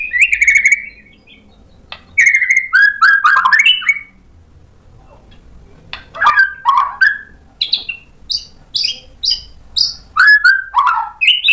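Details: White-rumped shama singing after being provoked: rich, varied whistles dropping from high to mid pitch, mixed with harsh chatters, then a steady series of short repeated notes.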